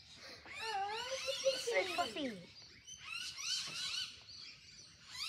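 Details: Fluffy rainbow lorikeets screeching in a flock: a run of loud, harsh, falling squawks early on, then softer busy chatter continuing behind.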